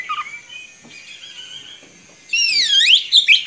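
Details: Oriental magpie-robin in full vigorous song with long rolling phrases, used to tutor young magpie-robins. Soft warbled notes give way to loud, rapid, looping whistles that sweep up and down.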